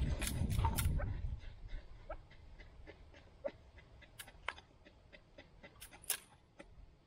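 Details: Kept chukar partridges give short, sharp clucking notes repeated irregularly several times a second, after a burst of loud rumbling noise at the start; faint low background hum throughout.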